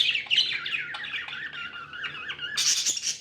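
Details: Happy pet budgerigars: fluid warbled chirping with gliding notes, then a harsh, noisy squawky burst in the last half second.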